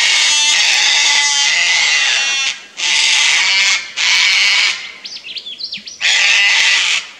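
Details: A pair of Sulphur-crested Cockatoos protesting a Lace Monitor near their nest tree, Fraser Coast, Queensland, Australia: a run of harsh screeches, with a few brief high chirps from another bird in a gap before a final screech.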